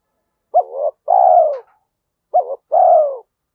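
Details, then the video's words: Spotted dove in the 'giọng thổ' style, a voice suited to the forest when trapping: two clean phrases, each a brief upslurred note and then a drawn-out, softly descending coo. "cu gáy giọng thổ Thúc Đấu giọng hợp rừng khi đi gài"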